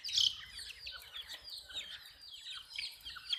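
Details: Hen chicks chirping together, rapid thin downward peeps overlapping without pause, a loud close peep at the start.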